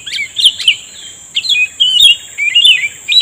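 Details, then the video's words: Cucak rumbai tungging caught up in bird trapping with a lure. It gives quick gurgling whistled phrases with sharp upward flicks, several short bursts in a row, with a constant thin high-pitched hum behind. "pikat burung cucak rumbai tungging udah mengeluarkan rayuan mautnya"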